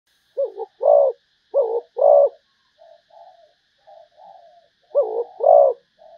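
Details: Malaysian zebra dove singing: three bursts of a short clipped coo followed by a longer rolling coo, separated by soft low murmuring trills, with no other sounds.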